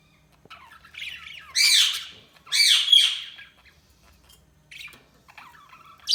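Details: Budgerigars chirping: warbling, squawky chatter in several loud bursts of about a second each, with scratchy rising and falling notes and softer chirps between them, in a quiet setting.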